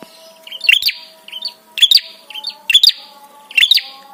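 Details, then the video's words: Prinia 'trapi' call used to make other birds respond and excite them: quick doubled high chirps, a softer note then a louder clicky burst, repeated about every second over a low steady hum. "SUARA TRAPI PRENJAK SEKETIKA BIKIN EMOSI DAN BIRAHI"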